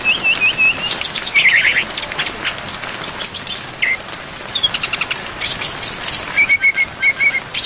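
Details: Training song of a brown-chested jungle flycatcher, full of borrowed phrases, with rain sounds. Wavering whistled notes, a falling rattle, then scratchy bursts and a few repeated level piping notes near the end.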